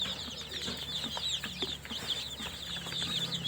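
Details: Newly hatched chicken chicks chirping together indoors, a dense overlapping chorus of high, thin peeps that rarely pause, with a faint low hum underneath.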